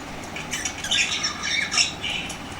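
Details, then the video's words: Lovebirds turning very active and energetic in reaction to played lovebird sounds, giving harsh squawks and shrill chirps spread between about 2 and 8 kilohertz, several short bursts in quick succession. "How they Reacted on LOVE Birds❤️ Sounds | Became so super active and Energetic"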